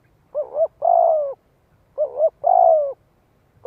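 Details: Spotted dove calling to draw in wild doves, 'giọng hạp' style: paired phrases of a quick double note and a drawn-out descending coo, repeated about every one and a half seconds.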